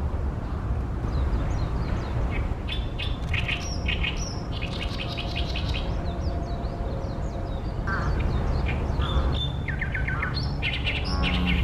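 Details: Oriental reed warbler singing loudly, hidden among branches of a tall tree beside a reed-fringed pond where it nests each year, Ashiya, Japan, 28 May 2020, fine weather; harsh grating and croaking notes in fast repeated chattering phrases over a steady low rumble.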